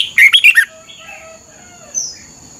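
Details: Caged Thai red-whiskered bulbul giving a brief doubled-style song phrase for young birds to learn: four fast, sweet warbled notes packed into half a second, followed by quiet with faint thin tones.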